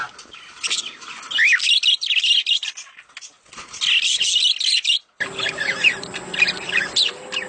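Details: Budgerigars' mating chatter, played to stimulate breeding: dense warbling and quick chirps with rising and falling notes, a brief pause, then an abrupt shift to busier chatter over a faint steady hum.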